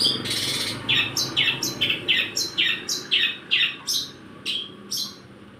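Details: Long-tailed shrike song filled with sparrow (gereja) imitation: about a dozen sharp, downslurred chirps, each dropping quickly in pitch, given at an irregular pace of roughly two per second over a soft background hiss.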